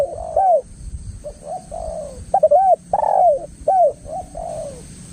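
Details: Loud spotted dove lure call for attracting other doves: a run of soft, low coos, each note rising then bending down, some phrases slurred together, over a quiet constant hum.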